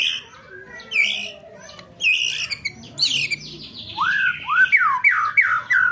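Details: White-rumped shama, roll tembak material for training contest birds: scattered harsh notes, then a sequence of loud downslurred whistles repeated about twice a second.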